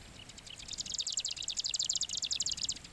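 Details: Marsh grassbird in a reed bed, Japan, 18 June 2024, calling loudly from perched reeds in display: a fast, high, dry chattering song, about ten rattled notes per second held for over two seconds, with faint low background rumble.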